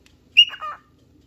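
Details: A cockatiel looking for a partner or playmate gives a single short call: a sharp whistled onset dropping into a brief, buzzy, wavering note, then silence.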